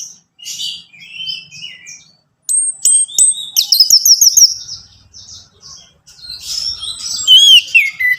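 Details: Orange-headed thrush song to encourage a caged bird; soft scattered notes, then high thin whistles and a fast trill, ending with looping slurred whistles and a faint low hum.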